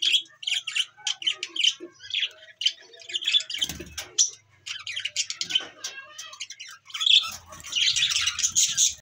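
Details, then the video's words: Budgerigars of many new colour varieties in a playground setup, chattering busily: dense, rapid squeaky chirps and warbles with scratchy notes, overlapping continuously, with faint low thumps in the background. "budgies parrot"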